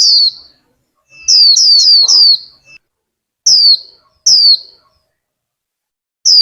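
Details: Vietnamese caged female warbling white-eye urging the male into song: clear, high, downward-slurred whistles. First comes a single note, then a quick run of four, then spaced single notes, with a faint soft rustle in between.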